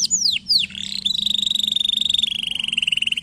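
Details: Canary song played to stimulate and train lazy canaries: a few sharp descending sweeps open, then a long rapid trill held high and steady, gradually dropping slightly in pitch.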